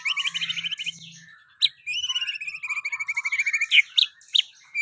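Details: White-rumped shama song in the 'pastol' style with luxurious 'isian' material: rapid rattling trills, a long run of even clipped notes, then loud piercing whistled accents near the end.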